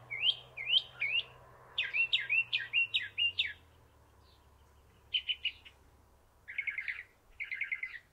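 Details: A Northern mockingbird, singing and preening on its favourite perch atop a stove pipe, sings bright, high phrases, repeating each several times before switching, from slurred chirps to rapid buzzy trills, over a soft low hum.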